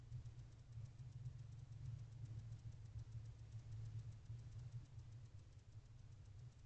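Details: A quiet, steady low engine-like hum from an owl box camera before dawn, with no owl or other animal voice heard.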